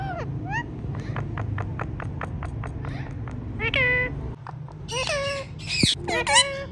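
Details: Talking ringneck parrots: a run of short evenly spaced clicks and chirps, then harmonic, speech-like squawked syllables that bend up and down, with a steady low hum underneath.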